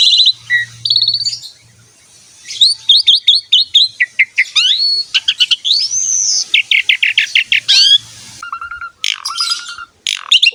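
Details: Asian pied starling in prolonged, lively song for prompting young or lazy birds: opens with a buzzy note, then a long run of rapid rising chirps, a swelling arched whistle, and flat lower whistles near the close.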